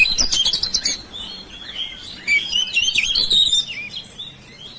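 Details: Kept oriental magpie-robin singing, used to lure silent birds into song: a fast burst of sharp high chirps, then varied whistled phrases wavering between middle and high pitch, with quieter notes trailing off.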